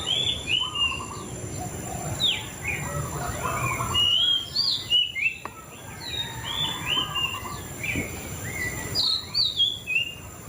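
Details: White-rumped shama song full of fast sharp whistles, upslurs and trills in bursts every second or so, accompanied by lower buzzy notes and a constant high hiss.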